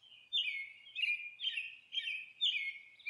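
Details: Monk parakeet at its nest, giving a run of harsh, raspy squawks, about two each second, in a steady chattering series with no other sounds.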